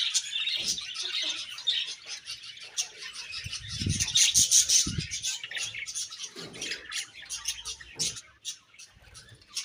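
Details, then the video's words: Budgerigars, several birds, chirping together: dense, continuous high chattering and warbling with rapid twittered notes, plus a few low thumps in the middle. "Beautiful Budgies Chirping Sounds"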